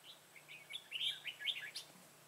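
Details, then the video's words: Red-whiskered bulbul at a trap in Vietnam, 25 September 2018, a decoy singing in a fight to lure wild bulbuls; a loud, quick, warbled whistled phrase rising and falling, with people talking quietly nearby. "Bẫy chào mào Ché cười"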